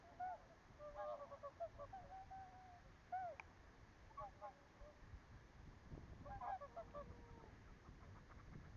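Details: Swans at Tataranuma lake, Tatebayashi and Ora, Gunma Prefecture, Japan, on 12 February 2026, giving soft nasal honks in scattered bursts, several birds overlapping, over a steady low rumbling background.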